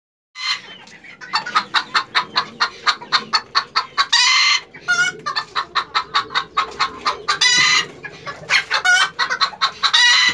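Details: Hen laying an egg, cackling in a long series of sharp, evenly repeated clucks about three per second, broken by louder drawn-out squawks.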